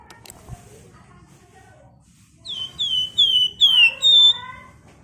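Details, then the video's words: Flamboyan bird singing in the dense 'ngebren rapat' style: faint soft twittering first, then four or five strong, bright whistled notes sliding downward, the last ones rich and full, close together. "Burung Flamboyan Gacor Ngebren Rapat Nyerecet"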